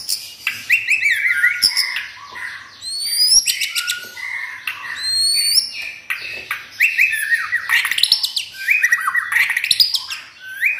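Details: Home-kept white-rumped shama with no contest record in sustained vigorous song: dense fast sequences of whistles, high rising sweeps and scratchy notes running almost continuously.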